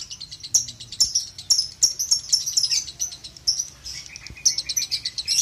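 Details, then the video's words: Lovebird ngekek song, played as training audio for young lovebirds: high, rapid chattering bursts repeated in quick succession, with brief pauses between runs and a thin, scratchy tone throughout. "terapi ngetik,ngekek lovebird balibu"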